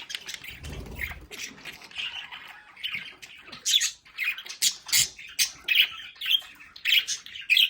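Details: Budgerigars kept as pets in a home play area chatter. After a low rumble at the start, a run of sharp, clipped squawks and twittering notes repeats roughly twice a second.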